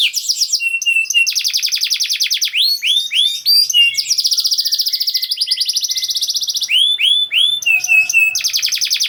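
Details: Canary singing fast to coax quiet canaries into song: long rapid trills of buzzy repeated notes alternating with swooping whistled syllables and short chirps, loud and unbroken.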